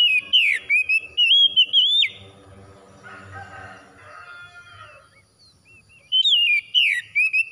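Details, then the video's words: Oriental magpie-robin singing after dawn, in a therapy recording meant to bring stressed birds back to full song: loud bursts of rich, rising and falling whistled phrases with sharp slurs, a quieter low murmuring gap, then more whistles. "TERAPI KACER HABIS SUBUH PEMULIH AMPUH KACER SETRES CEPAT GACOR"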